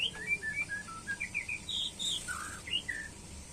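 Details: White-rumped shama during pairing: loud, clear whistled phrase of rapid varied notes, low and high alternating, climbing to bright high whistles midway, then a lower slurred note and quick closing chirps.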